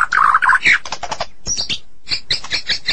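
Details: Medan-type White-rumped shama giving harsh, buzzy chattering phrases with mixed warbles, then a pause and a series of rough high scratchy notes, rather noisy throughout.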